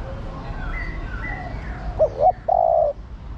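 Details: A female spotted dove calls the male: two short notes and a held, mellow coo, after faint higher whistles from other birds.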